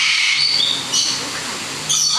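A red lory gives harsh, hissing screeches high in pitch, with short whistled notes breaking through near the start, the middle and the end.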